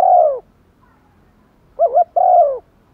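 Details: Spotted dove kept as a decoy, cooing to lure wild birds, in 'gáy thúc' style. A long falling hoot, a pause, then a quivering double note and another sustained low hoot.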